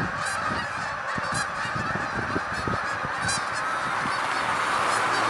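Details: Massed honking from hundreds of Canada geese rising into the air, a rapid jumble of nasal calls layered over one another, with individual sharper honks standing out now and then.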